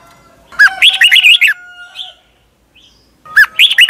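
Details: Caged Red-whiskered Bulbul in Thailand sings a rollicking warbled phrase, adds a few soft short notes, then starts the next phrase of its doubled song, used for teaching young birds.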